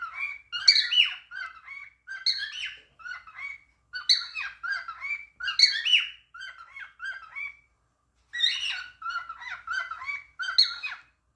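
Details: Cockatiel talking: bursts of chattering, squeaky phrases with whistled rising and falling notes, grouped in runs of about one to two seconds separated by short pauses, indoors with no other clear sounds.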